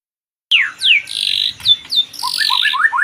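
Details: White-rumped shama song: varied quick whistled notes, steep downslurs and sweeping phrases, loud and rich, ending in a run of short rising notes.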